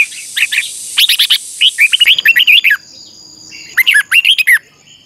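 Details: A red-whiskered bulbul practising its song, bright, bubbling phrases of quick rising-and-falling whistled notes in two bursts, with a faint high hiss behind; recording used as a lure and for training other bulbuls.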